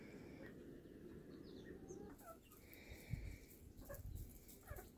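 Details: Chickens on the prairie clucking; a few soft broken clucks and a drawn-out nasal call near the middle, over steady low wind rumble with faint bird chirps.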